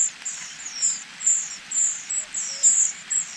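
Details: Nestlings calling for food from their parents, a rapid run of piercing high chirps, several per second, forming an almost continuous thin chatter over soft background hiss.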